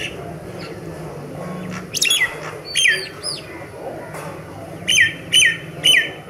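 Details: Myna singing: clear, whistled notes that slide downward, first in a short cluster, then three evenly spaced whistles near the end, over a steady background hum.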